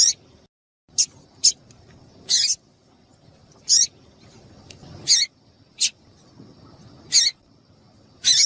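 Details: Calls of a female papa-capim, used to excite males before song tournaments: brief, sharp, high-pitched peeps repeated at uneven intervals of about one second, some slightly longer and buzzier, over faint low background noise.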